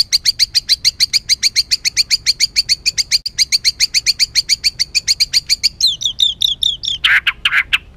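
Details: Harsh, emotional song of a white-rumped shama, played to rile up other birds: a rapid run of identical rasping notes, over two per second, then quick swooping whistles and rough squawks.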